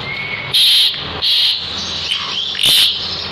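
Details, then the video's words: Asian pied starling held in the hand, singing vigorously: three loud harsh rasping bursts about a second apart, with a faint thin whistle between them. "JALAK SUREN GACOR || di pegang semakin bocor"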